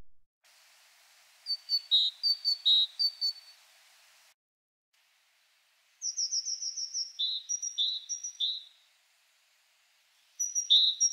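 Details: Great tit song in several variants, from typical to less common, each a quick run of two-note phrases, a high sharp note dropping to a lower one, repeated about three times a second.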